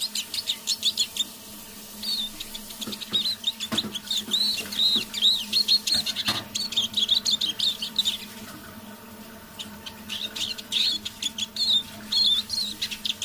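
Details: Decoy Eurasian siskin singing softly on an evening: a lively stream of twitters, slurred whistles and short trills, with a couple of soft knocks and a steady electrical hum underneath.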